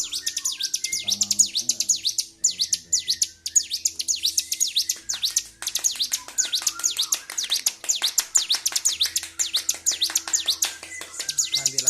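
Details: Agitated Bar-winged prinia recorded 26 February 2023, singing nonstop in a highly excited state: rapid series of sharp, high, V-shaped chirps repeated in dense bursts, with faint low hum beneath.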